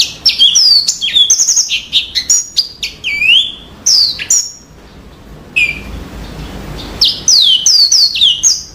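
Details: Yellow-fronted canary singing a rapid, varied song of high whistled notes, sharp slurred sweeps and trills. Phrases come in bursts, with a pause of about a second and a half midway before the song resumes. No other clear sounds.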